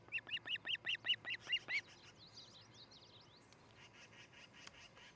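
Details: Osprey calling at its nest in Charlo, Montana, on July 13, 2018, from a nest camera: nine sharp, whistled chirps in quick succession, then fainter high twittering and a low background hum.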